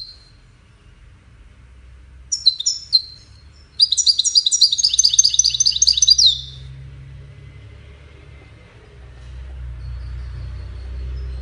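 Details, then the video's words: Goldfinch singing during courtship and communication: a few scattered high notes, then a dense, rapid burst of tinkling twitters lasting about two and a half seconds, followed by quiet low background hum. "Witness the Majestic Goldfinch Singing"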